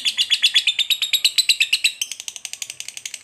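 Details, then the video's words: Long ngekek trill from a fighter lovebird, used to goad a rival lovebird into anger and attack: rapid, rattling chatter of sharp high chirps, speeding slightly and turning thinner and softer in the second half. "SUARA BURUNG LOVEBIRD NGETIK NGEKEK PANJANG"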